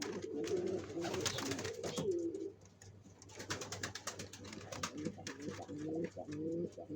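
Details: Pigeons building their nest before laying eggs, with bubbling low coos at the start and end and a stretch of sharp clicks and tapping between.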